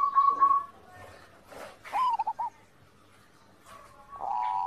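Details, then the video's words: Zebra dove singing, recorded as master audio to train other doves. It opens with a short pulsed trill, then a quick run of rolling coo notes, followed by a longer buzzy trill after a quiet stretch. "masteran perkutut, perkutut gacor"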